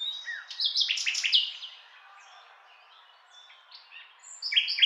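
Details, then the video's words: Rich nightingale phrase of dense, rapid clicking and buzzy notes, fading into soft, sparse chirps and a quiet gap, then a fresh outburst of bright high notes. "Nightingale Sound"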